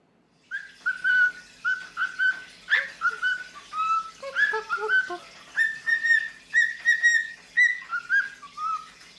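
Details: Pet female cockatiel, a free-flying bird in the afternoon, perched on her keeper's wrist and arm and singing hard while having her head stroked; a run of clear whistled notes, some rising or falling, repeated about twice a second.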